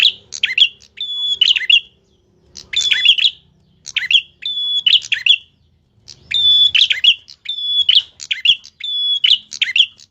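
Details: Tilek singing actively with a sharp voice: high phrases about every second, each a long, pure, steady whistle mixed with quick chirps and twittering notes, repeated throughout with short gaps; faint low background rumble.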